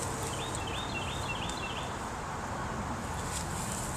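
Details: A Carolina wren in upland woods at Mountainside Park, Pompton Plains, NJ, where dense understory meets open canopy on a hillside, gives a quick run of about five rolling doodlee-doodlee phrases, faint behind steady outdoor noise and rustling.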